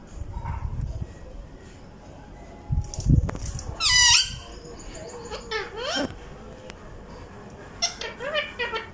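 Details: Pet rose-ringed parakeet indoors in Vehari, Punjab, Pakistan, talking in Urdu alongside an untrained ringneck: harsh, high squeaky bursts with steep up-and-down sweeps near the fourth and sixth seconds, then a cluster of chattering notes, over low room noise and murmuring.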